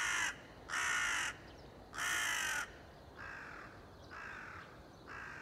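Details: Crow recorded on 30 September 2020, giving six harsh, broad cawing calls about half a second each, the first three loud and the last three softer, spaced roughly a second apart over steady background hiss.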